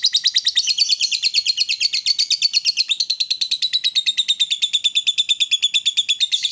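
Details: An excited lovebird in full ngekek, a loud, fast, continuous chatter of harsh high notes, about three per second, running unbroken for over six seconds with slight pitch wavering.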